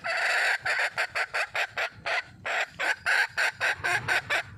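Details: Red junglefowl calling for a mate, giving a long run of loud, harsh, clipped notes, about three to four per second, evenly spaced throughout with brief gaps.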